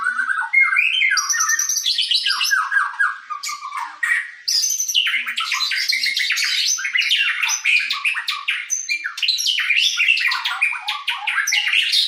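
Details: Murai, the white-rumped shama, in full sujud-style song: a long, fast, varied stream of sweeping whistles, chattery notes and sharp high bursts, delivered almost without pause for twelve seconds.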